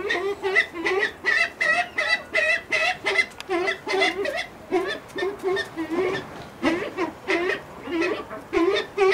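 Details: At a pheasant breeding farm, a brown eared pheasant repeats raucous, rasping cackles in quick series of roughly one or two per second, the notes harsh and nasal, continuing steadily throughout.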